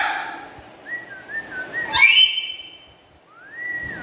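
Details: Pet black-capped lory with a melodious, loud voice gives a string of short level and gently wavering whistles, then one harsh, bright squawk, followed by a smooth rising whistle.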